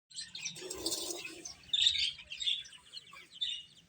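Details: Chicks feeding, giving a dense chorus of high, overlapping chirps that rise and fall in bursts through the clip, with a louder flurry near the middle.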